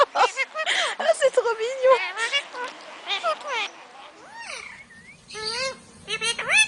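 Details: Pet talking parrot indoors, mixing speech-like chatter with sliding whistled notes that rise and fall near the end, with a person's voice in between.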